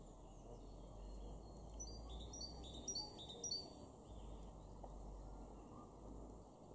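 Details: Great tit in a garden in Weener, East Frisia, northwest Germany, March 2024: a short burst of high, quick two-note phrases over a steady low rumble of wind or distant traffic.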